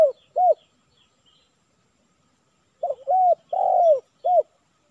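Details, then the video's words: Spotted dove (tekukur) calls at a village trapping session using a decoy, aimed at a 'kuk 3' male that responded poorly, possibly due to the weather and roaming hawks. Two brief arched coos, a pause, then a quick series of four mellow coos. "Target Kuk 3"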